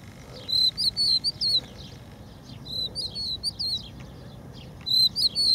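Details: At a beach refuge in Empuriabrava, Spain, a crested lark sings three short phrases of clear, fluty whistles with warbled slurs, each phrase lasting under a second, separated by gaps of quiet hiss.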